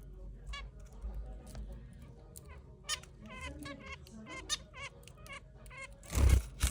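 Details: Zebra finches, pet birds feeding from a hand, give short, nasal, trumpet-like calls in quick, irregular succession.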